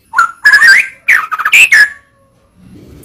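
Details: Murai batu (white-rumped shama) masteran song: short bursts of slurred whistles and rough notes in quick succession, fading to near silence at the end.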